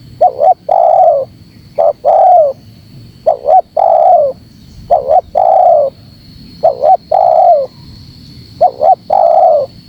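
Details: Energetic spotted dove lure call: five phrases of two brief notes then a long coo that falls at the end, spaced roughly two seconds apart, over a faint steady high whine.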